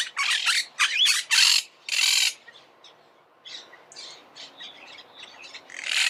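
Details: Argentine monk parakeet with a run of loud, harsh, broadband squawks in the first two seconds, followed by quieter chattering and another screech at the end.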